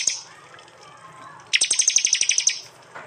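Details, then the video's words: Prinia from East Java, phone-recorded, in a fierce 'tembakan' volley for training cage songbirds: about ten sharp, high, evenly spaced ticking notes in a rapid burst after a quiet start, with a faint low hum beneath. "Tembakan prenjak jali keras"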